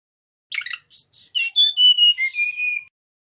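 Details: Male mangrove whistler song for luring other birds: a rough opening note, a very high whistled flourish, then a descending series of pure whistles ending in steady level notes.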